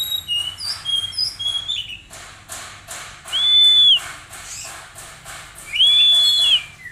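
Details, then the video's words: Oriental magpie-robin, a young caged bird, giving quick high whistles and then two long, level, drawn-out whistled notes, against a background of regular tapping clicks. "Terapi Kacer Bahan Agar Cepat Bunyi"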